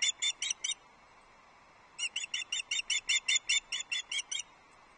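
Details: Female osprey at Loch Arkaig, 6 July 2024, fish calling from the nest to her absent mate; a short run of four shrill piping whistles, a pause, then a longer steady series of about fifteen clipped high chirps.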